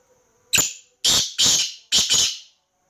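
Black francolin giving a harsh, grating phrase of five rasping notes: one short note, then two rough pairs, over about two seconds. Background is otherwise quiet.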